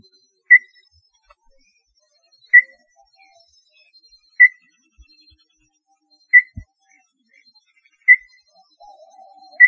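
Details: Small-billed tinamou giving single short clear whistles, one roughly every two seconds, in near silence. A brief low murmur follows the last note.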